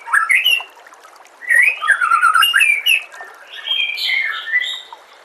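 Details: White-rumped shama song on a training recording for captive birds: a short whistled opening, then a long run of warbled, twisting notes and a higher, fluty closing phrase.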